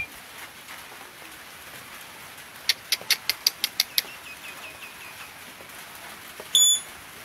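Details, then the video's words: Blue-rumped parrot (Psittinus cyanurus) lure call: a quick run of eight sharp, high chips, then a soft series of thin notes and one loud shrill whistle. "Denak Pemikat Burung Puling / Tanau"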